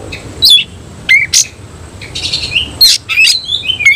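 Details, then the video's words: Oriental magpie-robin of semi-Cililin style, tail opened while singing: separate sharp chips and piercing down-slurred whistles, a buzzy chattering burst in the middle, then quick sweet whistled notes. "Kacer langsung NEMBAK NGOBRA BUKA EKOR || KACER SEMI CILILIN"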